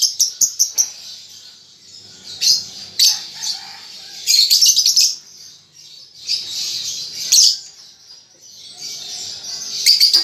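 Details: A young lovebird learning its ngetik and ngekek chatter, starting with a quick row of ticking clicks, followed by shrill squeaks and longer, buzzy twittering bouts.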